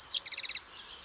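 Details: European goldfinch giving a short high whistle followed by a quick series of six even, buzzy notes, lasting about half a second.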